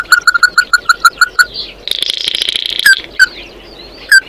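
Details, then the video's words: Oriental white-eye singing to call its flock: a fast series of about ten clear, evenly spaced mid-pitched notes, then a dense buzzy twittering burst, followed by a few single slurred notes. "Tiếng kêu của chim Tí Hỉ, Chim Mắt Đỏ hót gọi bầy"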